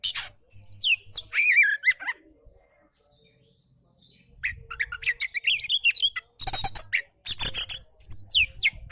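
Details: Relaxed oriental magpie-robin song meant for tutoring lazy-singing magpie-robins: bright whistled and slurred phrases with rasping squawky notes, a near-silent gap of about two seconds midway, then renewed bursts of high scratchy notes and whistles.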